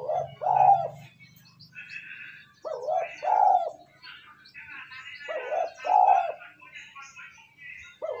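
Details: Spotted dove coos used to rouse decoy doves. Strong low, rolling two-part phrases repeat about every two and a half seconds, over chattering of other birds and a low hum at the start.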